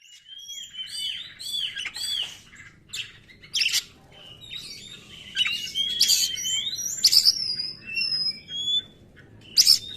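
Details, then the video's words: Oriental magpie-robin lure song for provoking listless birds and calling wild magpie-robins, in the fiery 'konslet' style: varied loud whistled phrases, harsh buzzy bursts and sharp rising notes with short pauses between phrases. "PANCINGAN SUARA BURUNG KACER | KURANG EMOSI | SUARA KACER KONSLET!!!"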